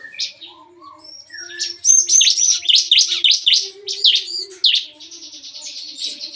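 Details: Bar-winged prinias kept in a breeding aviary sing busily in the morning, their chatter compared to gunfire: a quiet start, then a dense rush of high, sharply falling chirps, with faint lower calls behind.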